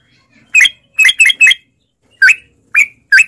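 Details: Sooty-headed bulbul lure recording for caged birds: a few loud, clipped chirps, a tight cluster of three, then three more well-spaced sharp notes.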